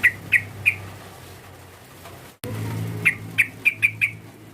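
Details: Yellow-vented bulbul calling to provoke a rival. Three sharp chirps, a long pause with low rumbling noise, then five more quick chirps close together.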